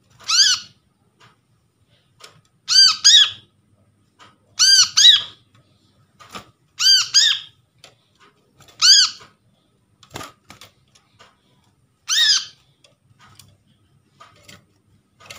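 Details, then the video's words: Trapped brown-throated sunbird used as a lure for birds that stop calling. Seven or so irregular bursts of bright, arched notes, single or doubled, spaced one to three seconds apart, with scattered soft clicks. "PANCINGAN BURUNG KOLIBRI KELAPA Bahan hasil Pikatan ,mengatasi korlap macet bunyi"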